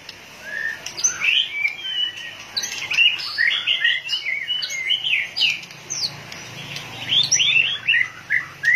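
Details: Excited white-rumped shama, tail flicking constantly, sings loud varied whistles. Short rising and falling phrases follow each other quickly, mixing clear whistles with sharper chip-like notes.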